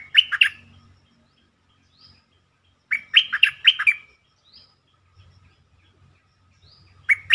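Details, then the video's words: Lure recording of bulbul song meant to make birds lively: short, chirpy, rollicking phrases of three or four notes come in three groups several seconds apart. Soft low rumbles sit in the background. "เสียงนกดอกแตงEp.147 เปิดให้นกคึก เพลงดีสำนวนน่าฟัง Suara pikat merbah lekir"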